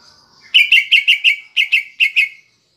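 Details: Cucak ijo (Greater Green Leafbird) kept in a cage, song with kapas tembak fill meant to rouse other birds; a faint thin whistle, then nine loud, sharp, evenly spaced chipping notes in quick succession, ending abruptly.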